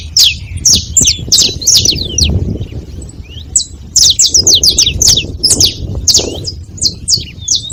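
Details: Several saffron finches noisy at a feeding spot: quick clusters of bright, falling chirps, then a short pause, then renewed overlapping chatter, with a muffled low hum underneath.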